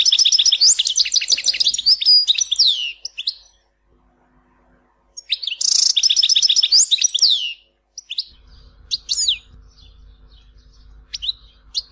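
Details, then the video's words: Algerian European goldfinch performing the Tizi Ouzou song with all its phrases, preserved for breeders training chicks. Two loud bursts of rapid twittering trills with descending slurs, separated by silence, then scattered sharp notes over low hum. "تغريد حسون تيزي وزو (كامل المقامات)"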